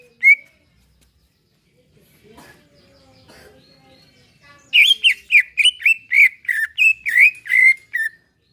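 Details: Caged greater green leafbird used to prompt another caged bird to sing, a relaxed song: after a lone opening note and a quiet pause, a run of loud, rapid, slurred whistled notes with sharp onsets, about two per second.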